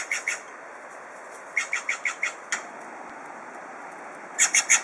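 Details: A pair of Blue Jays, seemingly squabbling, give harsh, raspy notes in quick bursts of four or five, with short pauses between runs, against a soft outdoor hiss.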